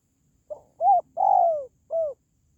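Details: One spotted dove phrase: a brief soft opening note, an arched coo, a long descending coo and a short downslurred closing coo, clear against a quiet background.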